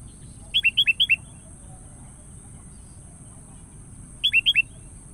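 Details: Sooty-headed bulbul calling a rival as a lure: a phrase of five down-slurred whistles, then after a pause a shorter phrase of four, each note dropping in pitch, against steady low background noise.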